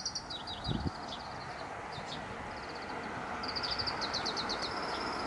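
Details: Oriental greenfinches singing inside a camphor tree thicket at 17:32 on 25 April 2018, later moving to power lines: high, quick twittering phrases ending in rapid chirps and a buzzy drawn-out note, over distant traffic rumble.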